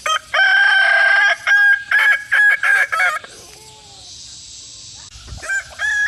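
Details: Kukuak Balenggek rooster, a kept hobby breed, crowing in a run of loud, harmonic stepped syllables packed close together for about three seconds, then a softer drawn-out tone and quieter background.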